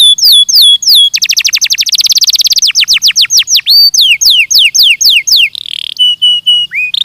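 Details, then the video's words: Belgian canary singing for training purposes: looping downslurred whistles, a very fast trill, slower sweeping notes, a buzzy burst and a final flat whistle. "ESPETACULAR canário belga,,! 30 MINUTOS DE TREINAMENTO DE BELGIUM CANARY VOCÊ VAI CANTAR MUITO"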